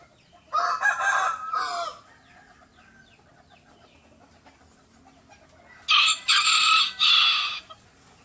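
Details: Mini-size rooster crows twice, the first crow lower and hoarse, the second shriller and broken into several strained bursts, with only faint background hiss between. Chicken.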